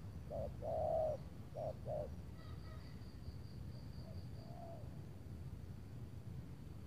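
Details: Spotted dove calling during a decoy trapping outing in Tangerang under cloudy skies, before rain fell. A quick series of low coos fills the first two seconds. A softer distant coo follows, with a constant insect drone and faint chirps.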